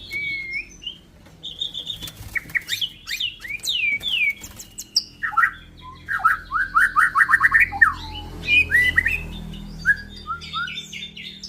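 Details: F5 Bordanias x Balak Sabang white-rumped shama delivering a rich, varied song: clear whistles, rapid chattering trills and quick slurred phrases, several fast repeated notes in series, over a faint low background hum.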